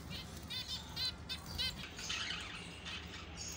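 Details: Singing finches; a fast series of short, bright chirps and trilled notes with rapid repeated strokes, over a low background rumble.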